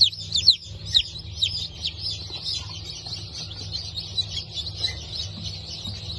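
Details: A hatch of Brahma and Wyandotte chicks, 19.10.2024, opening with a few loud, sharp downslurred cheeps, then settling into a rapid, steady chorus of fainter high peeps over a low humming drone.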